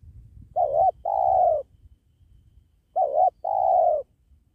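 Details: Spotted dove (tekukur) cooing while wild doves are trapped beside a sacred tree. Two phrases of a short quavering coo and a longer level, slightly falling coo, over a steady low background rumble.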